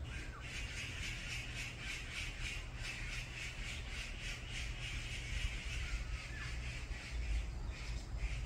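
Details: Brown-eared bulbuls in a group fight across a mountain give a rapid stream of harsh, grating squawks, several per second, over a constant low mechanical hum.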